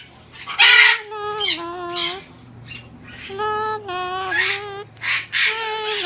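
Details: Talking umbrella cockatoo in a pet store greeting a familiar visitor, giving loud, hoarse, word-like calls in bursts separated by brief pauses, some phrases dipping then rising in pitch, with faint room hum behind.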